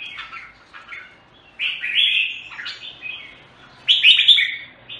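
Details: Red-whiskered bulbul, locally called jambul, Singapore, with scattered short whistles building to full warbled phrases, loud rolling bursts around the middle and another rich flourish near the close.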